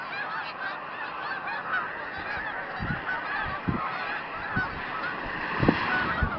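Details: Snow geese by the thousands, with Canada geese and mallards, gather in a field beside Route 34B in Tompkins County, New York, December 2009, as groups fly off and land. A continuous wall of yelping honks, punctuated by a few low thumps.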